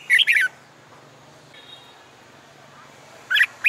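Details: Red-whiskered bulbul singing in summer sun, used in training for song contests; a quick bright warbled phrase at the start and another at the end, with a quiet pause between.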